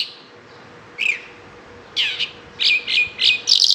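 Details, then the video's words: Bimaculated lark singing in sparse, short phrases: a single downslurred chirp, then after a pause a run of quick, scratchy chirps that grow busier toward the end, over a faint low hum. "bimaculatedlark singing"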